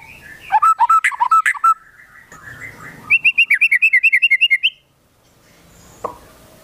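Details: White-rumped shama in energetic song with konin and kinoi fill: a fast chain of rich looping whistles, a softer warble, then a long rapid series of high chirps before silence and a single click.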